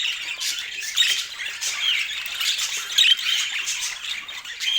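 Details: Budgerigars in noisy group chatter: constant high-pitched squawking and twittering, with a few sharp whistled notes standing out.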